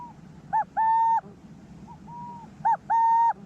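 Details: Resident male Burrowing Owl giving soft, low 'coo-cooo' hoots, a short note then a longer steady one, about two seconds apart. It is defending his burrow against a suspected intruder male, giving an alarm call and then the lowered-voice territorial coo.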